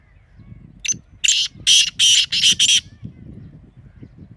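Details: Partridge, black or native kind, kept as a pet bird: a quick run of harsh, loud, grating bursts in about two seconds, sharply cut off, then quiet with low rumbling background.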